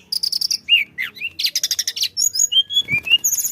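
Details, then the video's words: Energetic tledekan flycatcher song meant to coax other birds into singing: rapid repeated high chips, slurred whistles, dense buzzy trill bursts, then clear rising and falling whistled notes, with a faint steady hum beneath. "kicau tledekan gacor ampuh untuk pancing bunyi"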